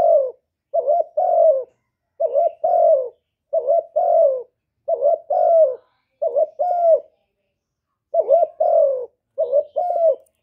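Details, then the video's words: Spotted dove calling and cooing, used to stimulate newly kept doves. Low hoarse two-part coos, a short note then a longer falling one, repeated about every second and a quarter for ten seconds in an otherwise quiet room. "Cu gáy Hạp Bổi Gáy Gọi + Gù + Thúc + kèm kích bổi, chim cu đất gáy, cu cườm gáy, tiếng chim cu"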